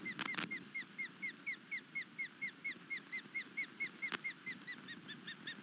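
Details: Osprey calling in alarm at night on its nest near Savannah, Georgia, disturbed by an intruder in March 2019; steady string of short down-slurred whistled notes, about two per second, with a couple of loud bumps.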